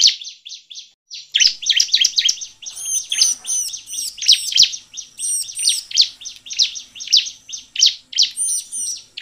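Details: Bar-winged prinia, known locally as ciblek, singing in a lively, prolific manner, used as a lure to prompt other birds to sing; rapid, high, scratchy chirps and repeated notes in dense bursts, with brief thin looping whistles above.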